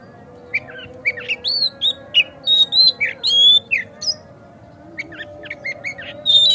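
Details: White-rumped shama singing, used to provoke a kacer into song and tail-opening: varied loud phrases of squawky notes and clear whistles, a short pause, then a softer run of chips.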